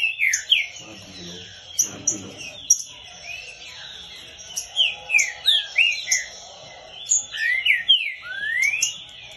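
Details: Green-winged saltator singing a lot during a training session, giving rich, whistled phrases of rising and falling notes repeated in quick bursts, with some higher chirps and brief low noises.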